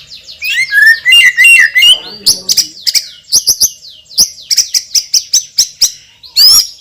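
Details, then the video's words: White-rumped shama, a champion bird with a loud, strong voice, delivering rich warbled whistles followed by a long string of sharp, high clipped notes at about two to three per second, ending in a harsh buzz. "MURAI BATU juara isian super PEDAS_suara lantang dan keras"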